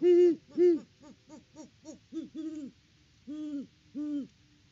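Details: Deep hooting from a pair of Great horned owls at their nest in Peabody, Kansas, in mid-October. Two loud hoots open, then come quicker, softer short hoots, and after a pause two more full hoots.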